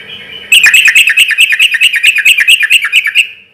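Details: Sooty-headed bulbul singing loudly at a relaxed pace, used as a lure so other bulbuls answer: a fast run of bright chattering notes, about sixteen in three seconds, each with a sharp ringing overtone, after a quiet start.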